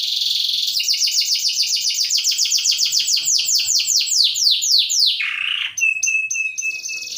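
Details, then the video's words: Canary from Ciamis, Indonesia, singing energetically: a rapid run of repeated downward-sweeping notes, then a short buzzy lower phrase and a steady whistled tone with clicks. "Kompilasi suara burung kenari"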